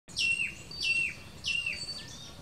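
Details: Blue-gray tanager chicks being fed give thin, high calls that drop in pitch, three in about two seconds, over faint background noise.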